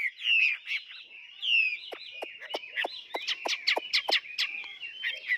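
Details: A tame caged Chinese hwamei sings vigorously: loud, slurred whistles, then a rapid run of sharp, ringing notes, about one every quarter second. No other sounds stand out.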